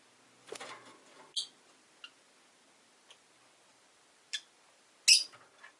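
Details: Soft rustling and a few short high chirps from a pet rosy-faced lovebird, closing with one loud, harsh shriek near the end.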